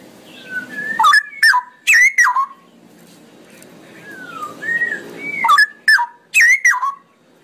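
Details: Cucak rowo (straw-headed bulbul) delivering a long ropelan song: rich gurgling bursts of descending whistles, with softer drawn-out whistled notes between the loud phrases.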